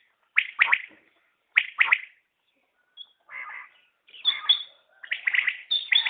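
Common quail giving two crisp three-note 'whit, whit-whit' phrases about a second apart, followed by a run of rougher, overlapping chirping notes.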